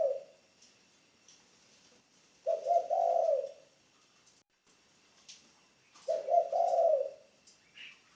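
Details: Spotted dove, a decoy bird from the ground newly in training, giving low cooing phrases of about a second, three rising-and-falling coos run together, repeated about every three and a half seconds, with faint clicks and a short high chirp.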